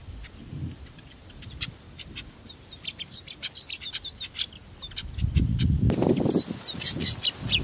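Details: Sudan golden sparrows feeding chirp in quick, high, twittering bursts, several birds overlapping, over a low rumble that grows louder toward the end.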